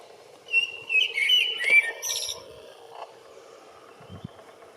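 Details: Common blackbird singing to attract a mate on 28 February: a single fluty, whistled warbling phrase lasting about two seconds, ending in a few higher twittering notes, followed by a quiet background with a faint hum.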